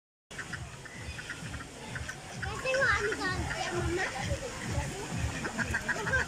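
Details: Several ducks eating and swimming in a zoo pond in Pakistan chatter and quack together in a busy, overlapping flock chorus of low grunting notes and brighter nasal calls, possibly with some voices in the background.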